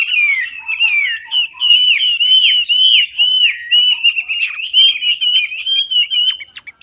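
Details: Chinese hwamei, or melodious laughingthrush, singing as a lure: a loud, continuous stream of varied whistled phrases, with rising and falling slurred notes mixed with sharp chips and rapid trills.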